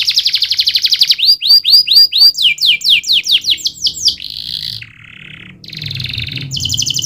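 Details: Canary singing a varied song: a fast rolling trill, then a run of sharp downslurred notes, followed by buzzy rolls at shifting pitches, including a lower buzzy trill near the end.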